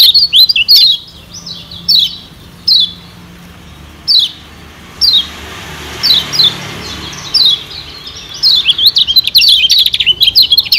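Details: Kecial kuning white-eye from Lombok, recorded as a lure for wild birds. Short high, downward-sliding chirps come roughly every second at first, then build into a busier twittering chatter near the end.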